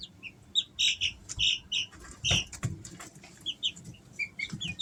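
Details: Easter Egger chicks, three weeks old, kept at home in summer: clear high whistled peeps, several in quick runs then scattered single chirps, with faint rustling and a few soft knocks.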